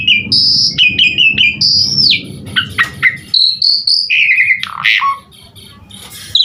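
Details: Asian pied starling song played to prompt starlings to sing: a varied run of loud whistled notes, short repeated phrases, sweeping slurs and harsh chatter, with a faint low hum underneath.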